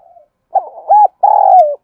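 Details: Spotted dove lure call for training fighting birds: a faint murmur, a rough stuttered note, an arched coo, then a long level coo that drops away at the end.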